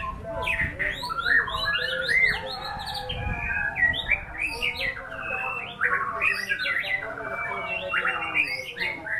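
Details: White-rumped shama delivering a lively, varied song of quick whistled notes, short slurred phrases and chirps, tumbling up and down in pitch without pause.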